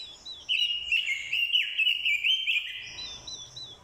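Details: Orange-headed thrush, a decoy bird provoked by a female's call into fighting song: a continuous rich warbling phrase of rapid slurred whistles lasting about two and a half seconds, with quieter fluttery notes above it.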